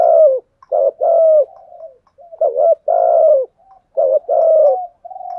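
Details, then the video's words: Spotted dove kept as a decoy to lure wild doves, cooing in close series: low double notes each followed by a long drawn, slightly falling coo, interspersed with quiet soft murmurs. "chim cu mồi thúc gù bài bản nhất hiện nay, chim cu gáy kích bổi hiệu quả nhất hiện nay"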